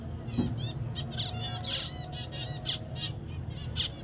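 Zebra finches give short, nasal, toy-trumpet calls in quick irregular succession over a low background hum.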